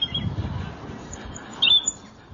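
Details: European robin singing in Drumboe woods: a brief, thin, high warbled phrase with a few sharp notes, starting high and dropping low, over low background rumble and faint outdoor noise.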